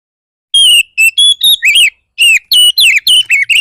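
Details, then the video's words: Aggressive Oriental magpie-robin song played to make other magpie-robins respond: a rapid string of about eleven loud whistled notes, some rising and some falling, delivered in two bursts with a short break between them. "Pancingan burung kacer bar bar naik pitam kacer lain"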